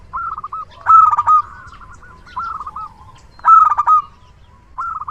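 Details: Local zebra dove, a loud and active singer used for luring: short trilled coo phrases alternate with two emphatic bursts of rapid clipped notes.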